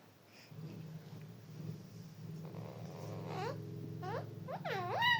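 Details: Parrot voice rising out of a low droning hum: after a few seconds, several quick looping harmonic calls follow one another, growing louder toward the end.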